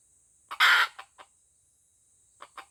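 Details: An F1 junglefowl decoy with white legs, from Aceh, lets out one loud, rasping crow burst, with a few brief clucks after it and more near the end.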